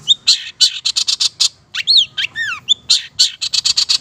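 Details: Lively song of a Long-tailed Shrike of the Madura type, for training other birds: quick runs of harsh, buzzy strokes broken by pure descending and arched whistles near the middle, then more rapid buzzy notes.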